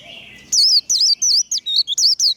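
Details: Líu đấu song of a warbling white-eye: after a soft hiss, a burst of eight sharp, very high looping whistles in quick succession, each bending downward.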